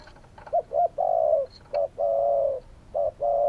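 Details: Spotted dove giving low mellow coos, two quick short notes then a long steady coo, repeated, with a few faint high chirps behind.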